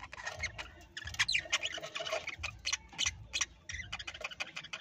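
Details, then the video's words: Aviary parrots chattering busily: rapid, irregular sharp chirps and squeaky notes packed closely together, roughly three a second, over low rumbling noise. "parrot bird new video"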